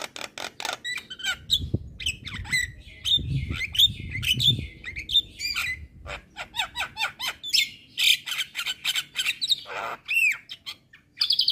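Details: Asian pied starling singing loudly to provoke neighbouring starlings: quick series of sharp clicks and whistled notes, harsh bursts and squeaky rising slurs, with some low rumbling in the background.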